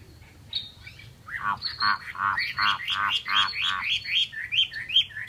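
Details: Chinese hwamei in full song: rich, loud, slurred notes with strong overtones, delivered in rapid rhythmic bursts and ending in higher clear whistles. A low hum sits in the background.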